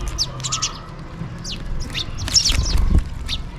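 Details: House sparrows chirping and calling for food while eating, rapid downslurred chirps from several birds tumbling over one another, with low background rumble.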